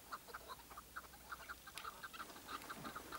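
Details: Chukar partridge, tethered as a decoy during a partridge hunt, giving a fast series of short, clucking mid-pitched notes, roughly three per second, with slightly uneven spacing over quiet background hiss.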